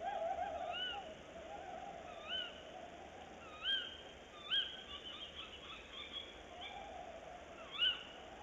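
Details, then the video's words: Tawny owls, male on a branch then female in a nest box, 22 February 2018 at about 06:43: a run of quavering hoots and repeated sharp arched calls, with occasional clicks and knocks, over low hiss. "Bosuil, M op de tak en dan V in de kast"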